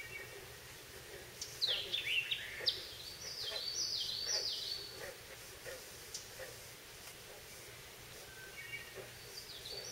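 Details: A Common Yellowthroat in a holler on 20 June 2014, amid bullfrogs and other birds, gives a quick, rolling burst of high, slurred notes over a steady hiss, with a few faint chirps afterward.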